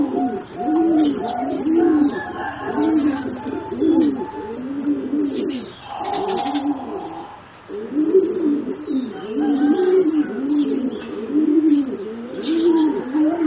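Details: Four young singing zebra doves, about 3.5 to 4 months old, bred for competition, give low rounded cooing phrases that rise and fall, repeated steadily with a brief pause near mid-clip; faint higher chirps and a thin steady tone sound behind.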